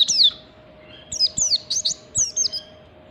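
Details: A wild oriental white-eye of the standard type, used as a lure to set other birds singing, delivers a rapid string of high, descending, slurred tweets, about eight notes in three seconds, with a steady faint hum underneath.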